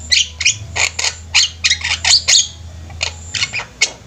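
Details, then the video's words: Javan mynas in a flock singing energetically, giving a rapid series of harsh, squawky and chattering notes about every quarter second, some with short whistled inflections, over a low constant hum. "Burung jalak kebo ombyokan juga bisa gacor"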